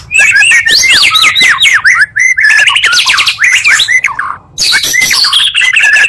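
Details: Oriental magpie-robin song used as a lure to quickly raise other magpie-robins' agitation, two songs combined: rapid, varied whistled phrases with sharp slurred notes and harsh squawky bursts, continuous with brief pauses near the middle.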